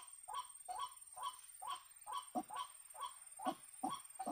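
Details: Waterhen lured by a caller during bird trapping: rhythmic, throaty, honking croaks given in an even series of roughly two per second. Each note drops sharply, against a quiet background.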